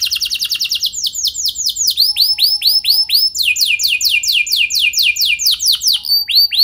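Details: Canary lure song: a fast trill gives way to a long series of rhythmic, down-slurred whistled notes in changing tours, each note repeated at a steady pace.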